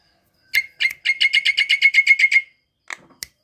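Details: Javan myna singing to prompt other silent or lazy mynas into song: a rapid, even rattle of about a dozen sharp notes near one pitch, then two isolated clicks after a short pause.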